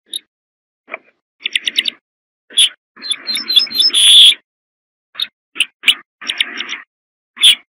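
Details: Song of a corn bunting, a dry series of quick clicking notes that speeds up into a jangling burst and closes on a sustained ringing note, with more clipped phrases starting after a pause.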